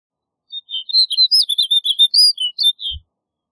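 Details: A snow bunting sings one lively phrase of about fifteen quick, high whistled and twittered notes, ending with a soft thump.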